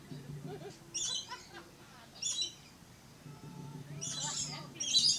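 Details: Red-collared lorikeet: a few sharp, harsh high-pitched screeches separated by quieter pauses, ending in two louder bursts close together.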